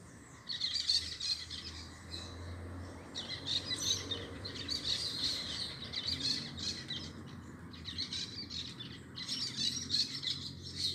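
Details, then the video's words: Parakeets calling together: dense, high-pitched chattering chirps in overlapping bursts, with brief lulls near the start and around the two- and eight-second marks, over a steady low background hum. "Som dos periquitos"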